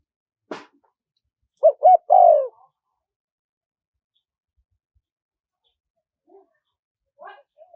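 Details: Spotted dove giving a wild-style (kharom pa) call in a small, high voice, used for playback to lure wild doves: a sharp click, then two short looping coos and a longer falling coo. Faint, soft coo fragments follow after a pause.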